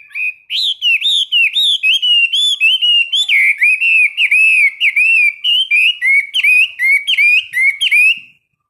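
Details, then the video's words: Morning practice song of a caged Chinese hwamei, trained 15 minutes each day: an unbroken stream of loud, clear whistled phrases, each quickly slurring up and down, repeated about twice per second with varied ornaments. "Luyện hót cho họa mi mỗi ngày 15 phút vào buổi sáng"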